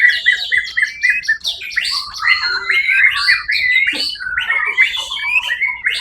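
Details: White-rumped shama (murai batu) singing in a songbird competition, Suara Agung event, 1 October 2023, winning first place; continuous rich varied song of whistles, slurred notes and quick chattering phrases, dense and unbroken, with several overlapping bird voices.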